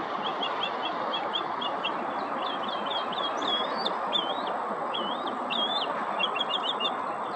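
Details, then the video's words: Northern mockingbird imitating other birds: a run of quick repeated chirps, then sharp looping whistled notes and a fast trilled flourish, each phrase changing in a few seconds, over a steady broad background roar. "Northern Mockingbird mimicking other birds sounds"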